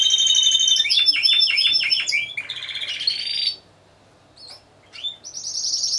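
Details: Timbrado Español singing canaries, a team of four in a singing competition on 25 November 2015: fast metallic rolls, a run of swooping descending notes, then rising whistled trills that break off into near silence before short notes and a final bright trill.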